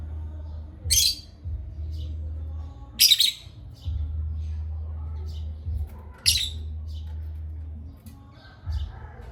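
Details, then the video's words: Pet parrots at playtime give harsh, broadband squawks about every two to three seconds, each short and noisy, over a steady low hum with faint softer calls between. "playtime with Parrots Chirping"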